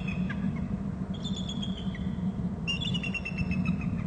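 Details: Pair of bald eagles calling at their Hornby Island nest territory, one bird having come in from inland: drawn-out high whistled notes followed by a quick run of chittering pips, set against constant low background rumble.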